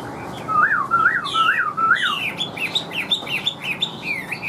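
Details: Caged Chinese hwamei, a large-bodied bird with yellow legs and bill, singing while flicking its tail: clear whistled slurs rising and falling, repeated four times, then a quicker run of higher, sharper whistled notes.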